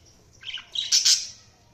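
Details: Budgie giving a short burst of harsh, scratchy squawks and chirps, rising in loudness then fading within about a second; faint hum behind.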